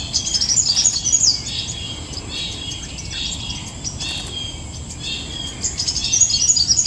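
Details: Copper-throated sunbird singing thin, high twittering phrases, quick tinkling notes running on and off over a steady background hiss.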